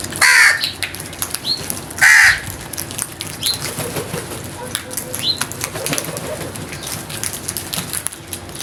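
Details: Two loud, harsh crow caws about two seconds apart open the recording. Sharp high chirps from other birds follow, scattered through the rest.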